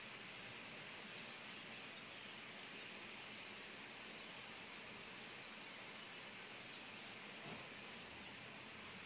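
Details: Starling flock leaving the cypress where it roosted overnight, in fog: a dense, steady hiss of countless calls blending into one high, rushing wash of sound.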